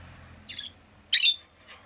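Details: Rosy-faced lovebird kept as a pet, two brief rasping chirps, the second louder and broader, then a faint third note, with low background hum.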